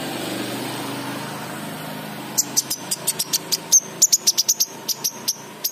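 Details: King konin sunbird in a lure recording for a raw bird that won't sing: after two seconds of low engine-like rumble, a rapid series of crisp, high clicking chips begins and continues irregularly to the end.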